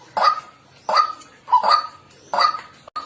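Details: White-breasted waterhen calling naturally, used as a bird lure: four loud, harsh croaks spaced about 0.7 seconds apart, one preceded by a short softer note.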